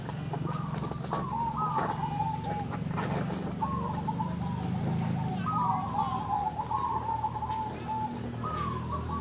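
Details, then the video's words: Competing zebra doves, local crossbreds at a singing contest, deliver repeated short warbling coo phrases that rise then fall, overlapping one another over a steady low hum and distant chatter. "Lomba Perkutut Lokal Croosing Gacor an Dan Rajin Bunyi || Merbok Turtledove Zebradove"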